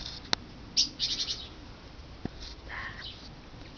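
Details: In June, a family of long-tailed tits nesting in a garden nest box and flying back and forth to feeders give thin, high, quick-fire calls, with a short rolling burst and a lower note near the end; a couple of sharp clicks in the background.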